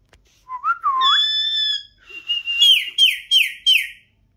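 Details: Parrot talking with its owner at home: clear whistled notes, a wavering rising glide into a long steady tone, then four quick downward-sliding chirps about a third of a second apart, with a quiet background.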